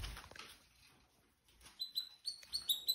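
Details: Red Factor Canaries in a freshly cleaned cage with new seed, adults and young of spring 2023 nearing the end of molt; after a quiet second, a steady run of clear, high, evenly spaced chirped notes, about six in a row.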